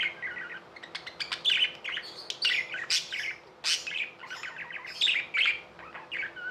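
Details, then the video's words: Pet budgerigars chatter with sharp clicks, high chirps and warbled phrases tumbling rapidly over each other, near-continuous, with a faint hum below. "Budgies | Talking | Singing | Chirping sounds"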